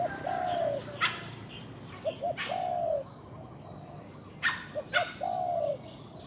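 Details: Spotted dove kept as a captive decoy for luring in Thailand and described as big-voiced. Two-part phrases of short coos are followed by a long, descending croon. Sharp knocking sounds and faint high twitters from other birds are heard between phrases.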